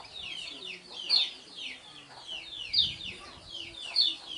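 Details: Kecial kuning, the lemon-bellied white-eye, kept for song contests (ngejos style): soft, high descending whistled slurs, with a brighter accented note roughly every one and a half seconds, three times.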